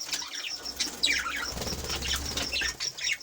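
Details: Budgerigars in an aviary, a pair with five growing chicks, chatter in quick, high chirps and short falling squeaks, with bursts of fluttering wings and a low rumble in the background.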